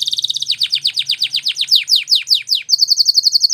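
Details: Spanish Timbrado canary song used for canary training: a fast roll of high notes, then a run of sharply falling, sweeping syllables repeated about three times a second, ending in a quick even trill.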